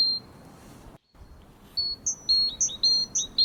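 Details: Great tit in Finland, home to about two million pairs; in noisy cities the species has shortened its song into a faster, punchier version. After a quiet start come crisp whistled notes alternating high and lower, repeated rapidly in quick phrases.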